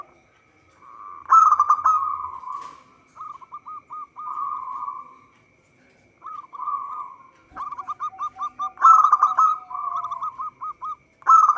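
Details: Local zebra dove singing vigorously, song used as a lure for trapping: soft rapid bursts of staccato cooing notes, then runs of short hooked coos repeated in quick series, with pauses between phrases and a faint steady high hum.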